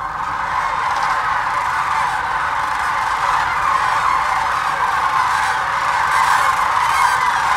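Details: Thousands of migrating sandhill cranes at the Hiwassee Wildlife Refuge in Birchwood, Tennessee, recorded on a GoPro Hero 9 or Canon Powershot: a dense, unbroken chorus of rolling, trumpeting calls overlapping throughout, with no pauses.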